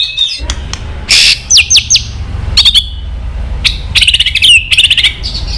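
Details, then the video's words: White-rumped shama, female 'tạch líu' voice used to rouse males' fighting spirit: sharp clicks, a burst of rising whistled sweeps, then a run of rapid high chattering notes. "Chòe lửa tạch líu giọng mái kích lửa"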